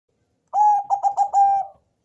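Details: Bangkok-type zebra dove with a thick, bassy voice, used as a lure to set other doves calling: one cooing phrase with a mellow opening note, a quick stutter of short coos, and a long held closing coo.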